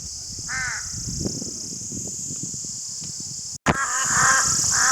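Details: One harsh crow caw sounds early, then a quiet stretch, a sharp click, and a quick series of rough, nasal caws, all over a steady shrill hiss.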